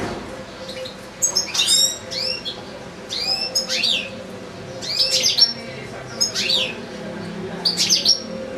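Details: Caged European goldfinch among goldfinch-canary hybrids, one bird in a breeding cage: short bursts of downward-sweeping whistles and chattering twitters, about one burst every second or so, with quieter gaps between.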